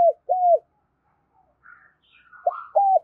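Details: Spotted dove coos used to attract wild doves for trapping: a pair of arched coos, a quiet gap with faint higher twittering, then another short coo pair.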